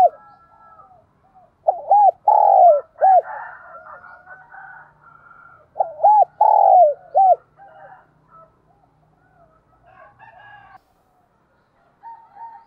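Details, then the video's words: Spotted dove decoy bird giving urging and calling coos to stimulate other doves; two rhythmic phrases of short coos around a long throaty note, with fainter overlapping coos and twitters from other birds, then near-silence. "Tiếng Chim Cu Mồi Gáy Thúc và Gáy Gọi Dùng Kích Bổi Mỗi Ngày"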